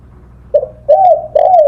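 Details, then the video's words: Spotted dove as a training recording for songbirds: a short, low opening note followed by two longer, slurred coos that rise slightly and then sink. "Masteran suara burung TEKUKUR / DEKUKUR / DERKUKU"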